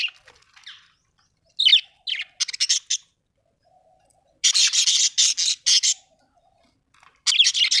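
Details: Budgerigars kept as pets at home: scattered harsh chirps, then a dense run of loud raspy chattering notes, a pause, and another burst of scratchy calls.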